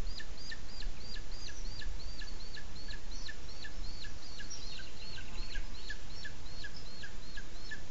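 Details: At a webcam-watched nest in Spain's Sierra de Guadarrama National Park, a booted eagle calls as the chick is shown to the male: rapid series of shrill descending notes, denser midway, over constant low background noise.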